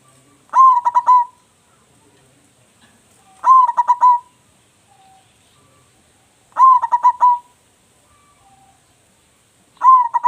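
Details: Local zebra dove, singing actively with a loud voice, kept as a lure bird: four mellow cooing phrases about every three seconds, each a rising opening note followed by quick pulsed coos, with quiet pauses between.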